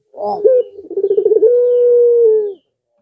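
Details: One full zebra dove phrase for luring rivals: an opening note, a quick stuttering trill of pulses, then a smooth sustained coo lasting about a second, slowly fading in pitch.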